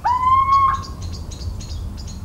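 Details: Little owl in countryside of central France on 17 March 2019, giving one loud rising whistled hoot of about 0.7 seconds with harmonics, followed by a softer trailing note, over rapid high-pitched ticking from insects or other birds.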